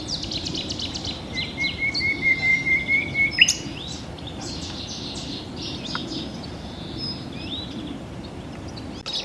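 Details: A Common Nightingale (Luscinia megarhynchos) sings a rich phrase of rapid notes, then a long, even, piping whistle and fast trills, over a steady rural background hum.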